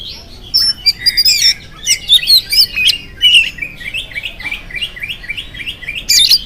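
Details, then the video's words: Oriental magpie-robin in lively morning song, used to prompt other magpie-robins to sing. Complex whistled flourishes open the phrase, then a run of evenly spaced, repeated chirping notes, and a sharp burst closes it. "PANCINGAN AWAL SUARA KACER GACOR DI PAGI HARI KACER APA SAJA LANGSUNG NYAUT IKUT BUNYI"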